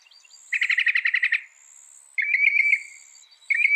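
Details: Northern mockingbird song with a quick rattling burst of about ten repeated notes, a pause, then a sustained warbled trill, ending with the start of another phrase; faint high tone in the background.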